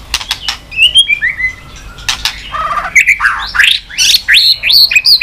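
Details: White-rumped shama, stimulated into fast singing while flicking its tail on the perch floor. Varied high whistles, slurred and rising, mixed with a short buzzy rattle and sharp snapping clicks.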